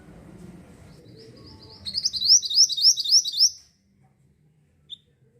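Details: Pied bushchat (mantenan) in lively continuous song, played to lure wild birds: a rapid run of bright, high, chirpy notes repeated about three or four per second for nearly two seconds, over a faint low rumble.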